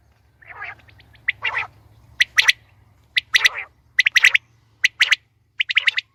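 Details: Hunting call of a female quail: soft rasping notes give way to bright, clipped high chirps in doublets and triplets at irregular intervals, against a low constant drone.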